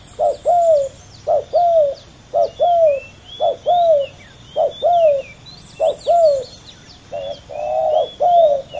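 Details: Two competing male spotted doves at a ground decoy, a heated pair: rapid run of low hoarse coos, each a short note dipping into a drawn-out falling croo, repeated steadily for nine seconds, thin high chirps of other birds overhead.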